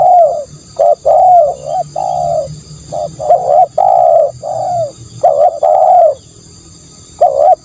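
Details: Cooing spotted dove used as a lure sound: repeated rounded coo phrases, some short and clipped, others long and rising then falling, followed by a pause and a final pair of coos; faint high hum throughout.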